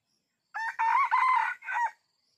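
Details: Red junglefowl crowing while wild junglefowl are being lured. A single loud crow of about one and a half seconds comes in three harsh, strongly harmonic segments, the last shorter and falling, over a faint insect hum.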